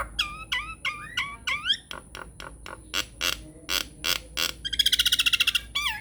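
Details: Nias hill myna lure song, used to coax quiet mynas into answering: a run of bent, rising whistles, then evenly spaced harsh clicks and a fast buzzy rattle, ending on a clear whistle.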